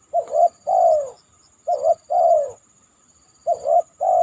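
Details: After a downpour, a spotted dove on a banana trunk gives low mellow three-part coos, two quick notes then a drawn-out falling one, three phrases in quick succession over a constant faint high-pitched hum.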